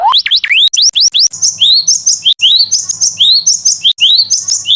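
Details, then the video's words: Training master song of a canary, with rising whistles repeated in a steady loop of short phrases, each a climbing slur followed by a high clipped note. "Masteran Kenari"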